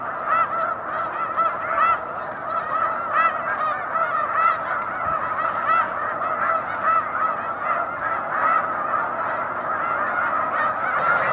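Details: Snow geese massed on Cayuga Lake in March, many birds honking together in a steady, busy din of high barking notes, some calls standing out above the wash of the flock.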